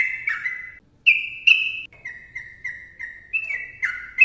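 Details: Sooty-headed bulbul song in the 'ropel' style, with a bubbly opening, a short gap, then two held higher whistles followed by a run of evenly spaced, falling fluty notes.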